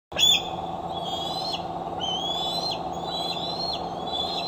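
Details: Eaglet returning home to its nest on July 4, 2011 at 8:39 pm, foot appearing tender, caught by a nest camera in Decorah; thin whistled high calls rising then dropping, over a steady low hum.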